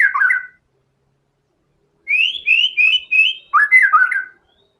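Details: Full, vigorous white-rumped shama song packed with learned fill-in material: a short warbled phrase, a pause of about one and a half seconds, then a string of bright rising whistles and a tumbling, richer warble.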